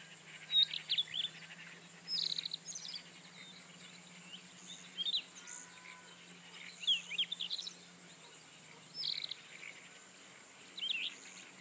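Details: Rufous-tailed scrub robin singing a sequence of varied, fluty phrases of quick twisting notes, each separated by short pauses, over steady low background noise.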